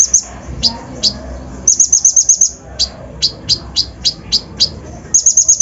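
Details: Brown-throated sunbird lure song for provoking other birds; high thin downslurred chips repeated every few tenths of a second, with a short rapid trill near the start and another at the end.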